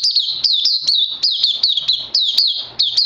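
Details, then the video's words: Puteh (oriental white-eye) on a Lava and Life Force supplement regime, day 2, recorded 31 May 2020, pours out a shrill, fast-rolling warble. Bright upward flicks punctuate the song at a steady brisk pace. "Puteh Crazy LG"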